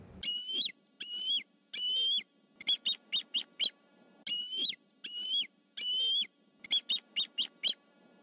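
A bald eagle gives its thin, high piping call: three drawn-out whistled notes, then a rapid stuttering chatter of short chirps, with the whole series given twice.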